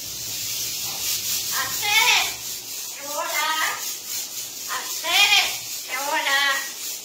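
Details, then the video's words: A parrot sings four voiced, speech-like phrases that bend up and down in pitch, each about a second long, over a steady background hiss. "Loro cantando"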